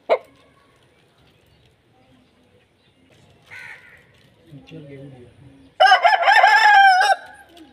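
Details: Aseel rooster crow arriving after a quiet stretch with faint murmurs; one loud, hoarse, drawn-out crow of about a second and a half, wavering then steady.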